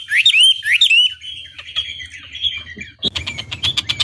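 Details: Chinese hwamei, a caged songbird, opening with two loud upswept whistles, then softer warbling and a closing series of rapid buzzy, chattering notes.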